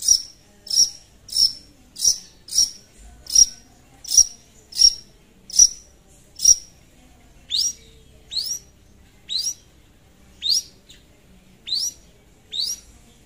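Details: Actively singing long-tailed shrike calling a rival: a run of sharp high piercing notes about every 0.7 seconds, then a change to softer upswept chirps spaced more widely, over near silence.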